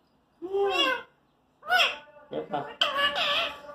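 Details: Pet parrot indoors, talking, producing voice-like syllables in three short bursts, the last a longer warbled phrase.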